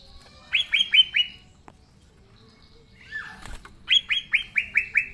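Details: Energetic green leafbird singing in its own voice, intended to coax silent young leafbirds: four quick falling whistles, a pause, one long swooping note, then another run of six ringing whistles.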